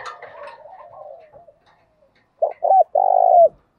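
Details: Spotted dove provoking call used in training: soft murmuring sounds fade out, then a short pip, a clipped coo and one long, rough, hollow coo that drops at its end.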